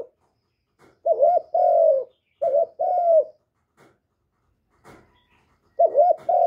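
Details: Spotted dove kept by Vietnamese bird keepers, cooing to stimulate fresh decoy birds: three spaced pairs of low coos, a quick wavering note leading into a longer sliding-down note, with faint clicks in the gaps.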